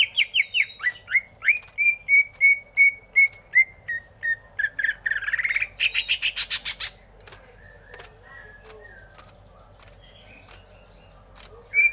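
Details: Greater green leafbird singing a long series of clear whistled notes repeated about every third of a second, then a buzzy, rapid chattering burst, fading into faint scattered twitters.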